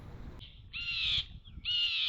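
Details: Blue Jays in a front yard, which sometimes chase a resident screech owl, give two harsh, grating screeches, each about half a second long and about a second apart, over a faint low rumble.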